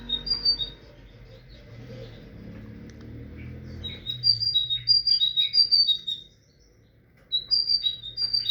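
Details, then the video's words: Tit song: loud bursts of high whistled notes, repeated quickly in two-note and three-note phrases, separated by quiet gaps with a low background hum. "تغريد طائر الحداد(القرقف)"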